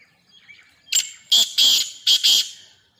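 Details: Sindhi black francolin, described as a four-syllable caller. It gives loud, harsh, grating bursts: a short note, then a longer one, a brief pause, then another short and long pair, over near silence.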